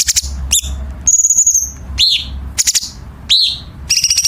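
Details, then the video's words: Dense, sharp song of a Chinese bulbul used to train competition birds, alternating piercing downslurred chirps with a long high whistle and quick stuttering trill bursts, over a low background hum. "Masteran Cucak Cungkok Istimewa ~Isian Kasaran Tajam Rapat ~Tembakan Istimewa Masteran Burung Lomba"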